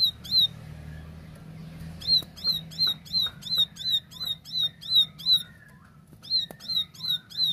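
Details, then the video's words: Tembakan song by a plain prinia, the ciblek sawah, clear and vigorous: spaced runs of high, ringing chip notes near three per second, with soft wavering whistles lower down during a short pause. "Tembakan Gacor Jernih Ciblek sawah"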